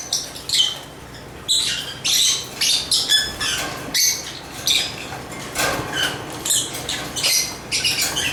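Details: Sparser lovebird chirps: separate short, high, squeaky notes and small bursts spaced irregularly over a soft background hiss.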